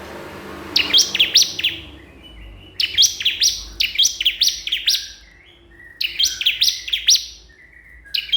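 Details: Bar-winged prinia repeatedly calls a rival, giving rapid bursts of piercing chirped notes in groups of four to six. Softer lower chirps are heard in the pauses between the bursts.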